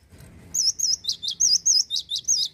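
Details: A male cinereous tit pours out a steady, fast series of high looping whistles, about eight wavy notes in under two seconds, clear and ringing over slight low hum.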